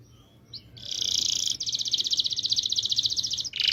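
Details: Canary singing a long rolling song: a sustained bright, buzzy trill of rapid notes running almost continuously for about three seconds, over faint background hiss.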